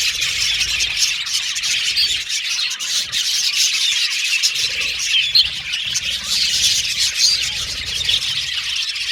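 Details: Constant chatter of many budgerigars, overlapping high chirps, squeaks and scratchy warbles forming a steady bright din, with a brief dip in density near the middle before it thickens again.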